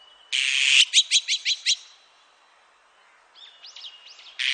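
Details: Azure-winged magpie, 2020 recording: a grating buzzy screech runs straight into five clipped chattering notes. After a pause come faint rising whistled sweeps, and a second harsh screech starts at the end.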